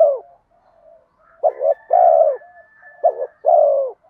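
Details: Spotted dove in bronze-voice style with urging coos, used to lure wild doves: low hollow coos, each a short broken double note followed by a long drawn coo, repeated twice after a trailing coo and soft murmurs.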